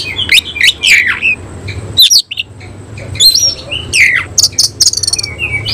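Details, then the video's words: Oriental magpie-robin, kept as a cage bird, singing loudly with its tail spread open; sharp chirps and slurred whistles in quick bursts, a short pause, then a rapid run of high ticking notes and clear whistles. "Kacer langsung NEMBAK NGOBRA BUKA EKOR"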